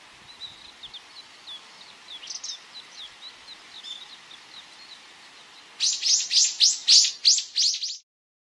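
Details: Flock of wild Japanese white-eyes feeding on nectar in a garden Camellia sasanqua in full bloom: faint, thin, high twittering notes at first, then a loud run of sharp, high chirps repeated rapidly before stopping.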